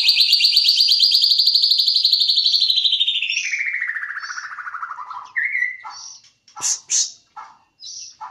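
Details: White-rumped shama of the Jambi type, a songbird imitating a canary: a long rapid trill sliding steadily down in pitch over five seconds, followed by scattered short high chirps and sharp clicks.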